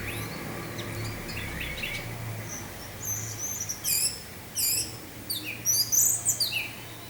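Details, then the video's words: Orange-headed thrush 'teler' singing with wind sound: a soft start, then repeated bright high bursts at irregular intervals, becoming denser toward the end, over a low hum. "suara angin dengan suara anis merah teler"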